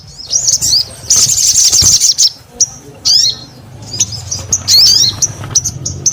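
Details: Sogon singing in bursts: a dense high trill, a pause, then scattered looping chirps and short twittering phrases, over faint low background noise.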